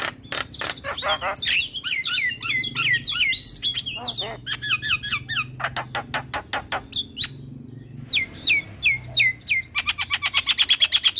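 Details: Javan myna male singing very actively with head-bobbing: rapid jumbled squawks and rising whistles, then a series of sharp clicking strokes and fast, speeding-up rattles toward the end, over a low indoor hum.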